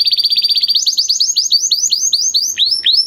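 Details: Singing male canary racing through very fast repeated notes, then slowing into evenly spaced, descending-then-rising whistled sweeps.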